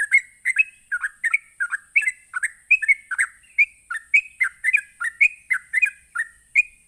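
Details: Fast, lively 'ropelan' song of a sooty-headed bulbul, meant to trigger other bulbuls to reply. Chirpy whistled notes, often in pairs, repeat quickly and evenly throughout, with a continuous thin hiss in the background.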